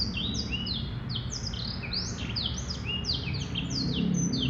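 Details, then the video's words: Continuous song of a male black-throated canary, a dense stream of rapid whistled slurs rising and falling in quick succession, about four notes a second, with faint low background hum. "Blackthroat Canary Bird Male - Jantan"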